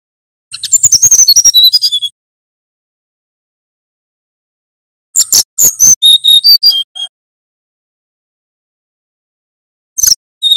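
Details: Male brown-chested jungle flycatcher from Banten, singing in the flute-like nyuling style used to tutor and prompt other birds. Three high bursts: rapid clicking notes sliding into descending whistled phrases, repeated after long pauses.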